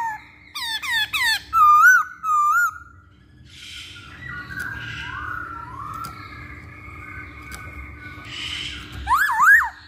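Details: Masked laughingthrush as a singing lure: several fast hooked whistles, then softer gliding whistles with breathy noise and a final loud rising-falling whistle.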